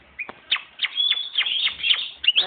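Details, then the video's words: Hand-raised European goldfinch (jilguero) from 2011, coming into breeding condition, gives a twittering song of bright tinkling notes with sharp rising chips at intervals, over a hissy background. "JILGUERO 2011 CRIADO A MANO (ENCELANDOSE)"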